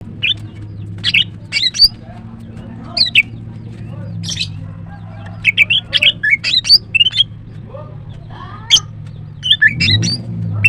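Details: Female greater green leafbird singing in the morning: bursts of sharp, high chirps and squeaky twisting notes in quick clusters, with pauses between phrases, over a steady low hum.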